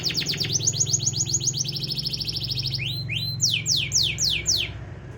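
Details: Canary singing as a lure for birds that will not sing: rapid high trills of repeated notes, switching to slower, separate downward-swept whistles near the end, over a steady low hum in the background.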